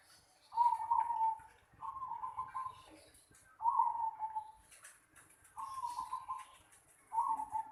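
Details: Zebra dove in a home yard in Indonesia giving steady soft cooing trills, five in sequence roughly every one and a half seconds, each a rolling purr, with faint chirps of other birds behind.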